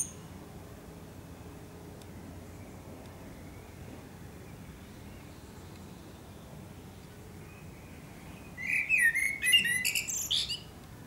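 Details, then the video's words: Quiet background for most of the recording, then a single fluty, twittering song phrase from a Eurasian blackbird (Turdus merula) at sunset in Akersloot, Netherlands, 30 March 2018. "Singing Eurasian Blackbird"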